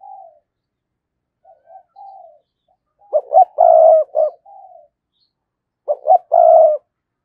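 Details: Decoy spotted dove cooing to attract others: soft low coos, then two loud phrases, each of two rising notes and a long steady coo, about three seconds apart.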